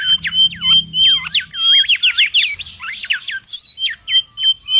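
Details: Mangrove whistler in the wild, a busy song used as lure and tutor: rapid run of looping, up-and-down whistled notes with sharp flicks, closing in short clear whistles.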